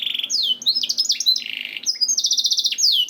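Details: Canary song used as a master recording to stimulate canaries to sing: varied rapid phrases of high whistled notes, sweeping downward trills, buzzy rolls and sustained tinny rattles switching every half second.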